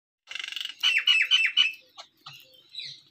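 Jungle babbler giving a harsh, rapid rattle followed by loud, squeaky downslurred chatter notes, with fainter chirps trailing after.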